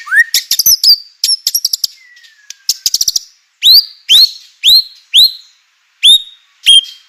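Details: White-rumped shama, used to spark singing in other shamas: opening rising whistle and quick chatter, then a series of loud, sharply rising whistled notes spaced about half a second apart.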